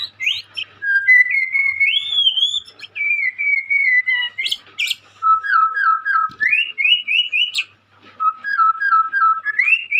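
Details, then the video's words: Young White-rumped shama singing energetically: long run of loud, clear whistled phrases, some sliding upward, others held and repeated in short series, interspersed with sharp high chips, almost continuous over ten seconds. "Burung Murai muda gacor calon juara"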